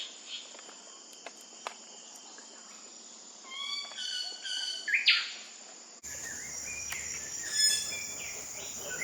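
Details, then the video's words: Wilson's bird-of-paradise in West Papua, recorded 28 July–16 August: a short run of bright descending whistled notes, then a few scattered chirps, over a constant high insect whine and forest background. "Wilson's Bird-of-Paradise 威爾森氏麗色天堂鳥"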